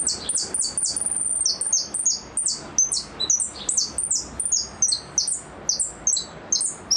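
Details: Goldfinch performing repique song: continuous chain of high, sharp, downward-sweeping notes at varied pitches, rhythmic and rapid, phrases repeated almost without break throughout.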